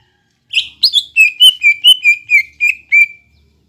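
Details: Greater green leafbird, a lively singing cage bird used as a lure to stir a silent or lazy caged bird into song: a quick run of about ten loud, clear whistled notes, each dropping slightly, spaced evenly.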